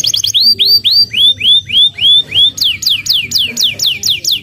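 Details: Canary song played as a training lure for young canaries; loud clear whistled notes, first rising-then-falling sweeps repeated about four times a second, then switching to sharper downward-slurred whistles at the same steady pace.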